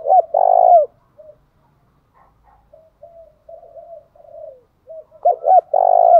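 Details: Spotted dove calling to prompt a quick song response. A long, rich coo opens. Soft, scattered low coos follow, then a loud phrase of two short coos and a sustained buzzy note closes.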